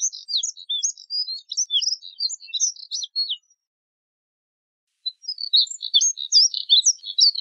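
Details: Two phrases of high, rapid twittering song from a Moussier's redstart, quick scratchy chirps and slurred notes for about three seconds each, separated by a quiet gap of nearly two seconds.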